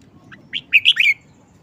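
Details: Short phrase from a caged red-whiskered bulbul: a soft lead-in note, then four ringing whistled notes in quick succession, the final one sliding down. Little else is heard besides a faint low rumble.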